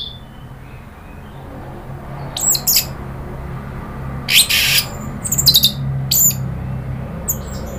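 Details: Orange-headed thrush, provoked into agitated rattling before long singing, giving four or five harsh, high, rattling bursts about a second apart, after a thin opening whistle, over a low steady hum.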